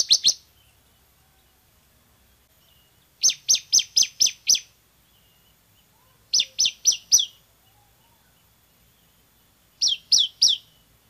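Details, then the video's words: Bar-winged prinia song for training other birds: short bursts of three to five high, sharp, buzzy notes repeated at regular intervals of about three seconds, separated by silence. "MASTERAN CIBLEK SEMI GACOR VOLUME TEMBUS"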